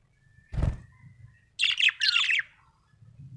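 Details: Happy budgerigar making two quick buzzy chattering bursts after a dull thump, with a faint low hum behind.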